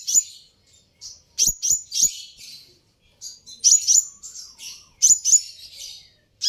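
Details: High, shrill sunbird chips delivered in quick clusters of two or three, about every second and a half, meant to make rival sunbirds answer.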